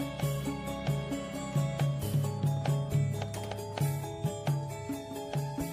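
Music with steady sustained tones and a quick, regular low beat; no animal voice stands out.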